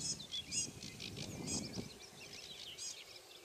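Sedge warbler song: a hurried, high run of scratchy chatters and thin whistles, fairly faint, with low background rumble and other distant birds.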